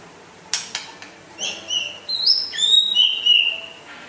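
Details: Rare white-rumped shama from West Aceh, a lively singer: three sharp clicks open the phrase, followed by a run of high, clear whistled notes stepping downward and ending in one long steady whistle.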